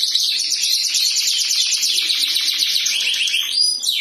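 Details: Canary in full loud song, a dense unbroken run of fast buzzy high trills with rapid repeated notes, ending in a rising whistled sweep and a brief pause.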